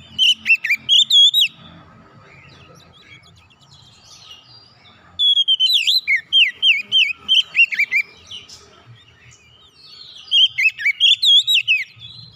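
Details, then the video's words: Song of an oriental magpie-robin, used to restart a bird that has stopped singing: three loud bursts of quick, rich whistles with twisting, slurred notes, separated by gaps of softer chirping and faint background birds. "KICAUN MENGATASI KACER MACET BUNYI KEMBALI GACOR"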